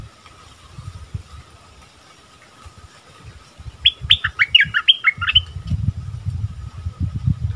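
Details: A bulbul sings a brief burst of about six quick, clear whistled notes, rising and falling, lasting around two seconds near the middle, amid low rumbling background noise before and after.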